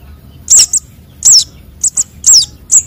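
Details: Sunbird chicks of konin and sogon, a lure sound: four bright, very high chirps, each a sliding downward note with a short clipped echo note after it.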